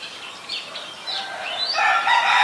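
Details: Song of an Oriental magpie-robin, a resident bird in Ubon Ratchathani, Thailand, 3 February 2023, captured on a Nikon P1000: a louder run of varied sweeping, slurred whistles that ends in a fuller, harsher burst of sound.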